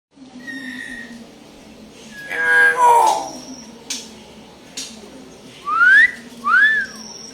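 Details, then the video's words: Common hill myna, likely kept as a pet, mimicking sounds: a brief speech-like burst, then clear whistled notes including two rising slurred whistles, over a low steady hum. "ngomong apa ya kira-kira ini burung?"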